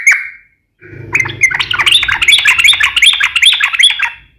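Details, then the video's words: Yellow-vented bulbul (trucukan) singing in an active, rapid-fire style: one short clear note, a pause, then a dense run of quick chattering whistled notes around two to four kilohertz. There is a faint low hum beneath. "KICAU SUARA trucukan gacor NEMBAK ROPEL NGEPLONG"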